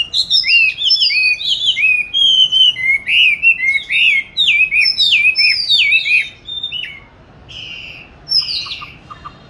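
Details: Caged oriental magpie-robin, hatched 29 July 2020 and recorded 22 March 2021, hung in an ideal spot for song training, delivers a fast varied song of clear whistled, sliding notes and chirps, tapering into quieter notes amid steady background hiss.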